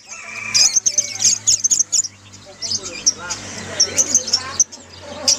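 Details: Many lovebirds singing together, a chorus used to coax a silent lovebird into singing: dense, shrill chirps and squeaky twitters overlapping almost continuously, with harsh chattering throughout.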